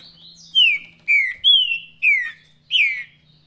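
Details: Green-winged saltator singing in the Paraná song style: five loud, clear whistled notes, each sliding downward, given about every half second over a faint steady low hum.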